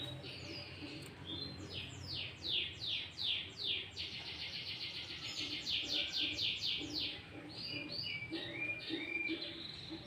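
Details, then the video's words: Sooty-headed bulbul song full of green leafbird fill phrases, used to lure bulbuls and train caged birds. Fast, falling sweeps give way to a long chattering trill of rapid notes, with low background noise. "Pancingan Burung Kutilang Gacor Full isian Cucok ijo"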